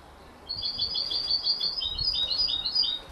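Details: Canary × European goldfinch hybrid chick, 33 days old, gives a rapid run of thin, high twittering notes, several per second, with faint background noise.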